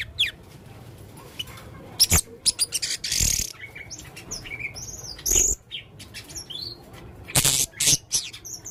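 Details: Active male blue-crowned hanging parrot producing a busy medley of shrill chirps, curling high whistles and harsh rasping bursts, with short gaps between irregular phrases.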